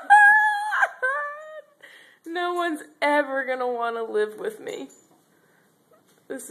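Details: An angry pet Moluccan cockatoo cursing indoors: clear, tonal speech-like phrases, some high and sliding, one long note gliding steadily downward, separated by short pauses in a small room.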